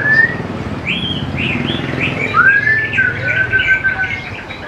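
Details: Greater green leafbird song meant to lure young leafbirds into singing: varied slurred whistles, rising and falling, with a long drawn whistled note near the middle, over a steady low hum.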